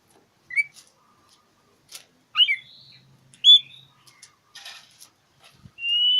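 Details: Oriental magpie-robin challenging a rival with scattered short whistles and twisting chirps, a buzzy burst, and a final sustained level whistle; a faint low hum in the background.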